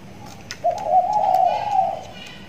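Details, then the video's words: Caged spotted dove, a six-month-old trained bird kept tied, beginning to call often; a single low, mellow, slightly wavering coo phrase lasting over a second, with a faint tap before it. "tekukur di sangkar layang || ajaran sudah mulai gacor"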